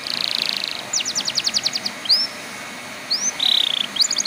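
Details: Canary stimulus song to make other canaries sing. A buzzy high trill, a string of short separated notes, two rising slurred whistles, another buzzy trill, and a quick rattle at the end.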